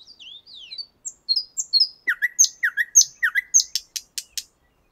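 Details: Common nightingale singing in the 50th Anniversary of October park in Moscow, recorded with a shotgun microphone: thin varied whistles and slurred notes, then a rhythmic run of loud downslurred notes about three per second, ending in sharp rapid clicks.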